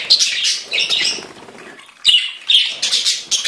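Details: Budgerigars sing a scratchy, high chatter that thins into a quieter lull with soft rustling, then resumes with sharp, loud squeaky bursts.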